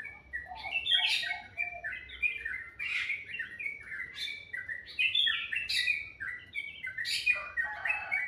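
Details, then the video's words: Melodious birdsong in the morning, a busy run of overlapping down-slurred chirps and whistles that continues without pause, with several louder rising bursts. "Suara burung dipagi hari sangat merdu"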